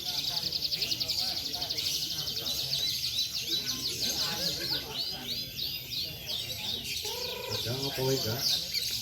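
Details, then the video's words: Canary at a songbird contest (practice class, Indonesia), a bird once nominated in the national class: long continuous high trilling and rapid rolled phrases with fast repeated notes, over crowd chatter and lower whistles from other birds. "Kelas Burung Kenari"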